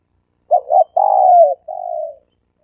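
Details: Dove cooing in the three-coo style, played as a lure: two quick short notes, a long throbbing coo sliding downward, then a softer drawn-out trailing coo.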